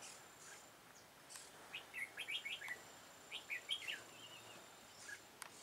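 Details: Red-whiskered bulbul recorded while being trapped with a decoy bird, 13 October 2018: soft, quick runs of chirpy whistled notes in two short phrases, fairly distant against a steady background hiss.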